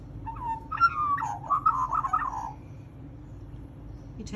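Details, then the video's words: A magpie in conversation with a person gives a short run of whistled and warbled notes, rising then wavering and fading after about two seconds, followed by quiet with faint low hum. "Chat with a Magpie"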